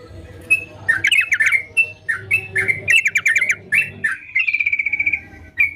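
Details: Sooty-headed bulbul singing in full voice: bursts of quick chirpy, slurred notes separated by brief pauses, then a fast even trill near the end, followed by one last short note.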